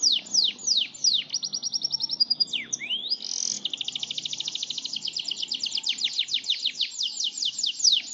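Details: Yorkshire canary singing a long rolling song: high swept chirps giving way to rapid trilled rolls, pulses repeating several times a second almost without pause, clean and loud with little background.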